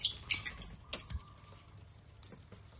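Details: African lovebirds clambering over a toy construction crane with millet; a string of piercing high chirps, some sliding downward, followed by a lull and one final sharp note.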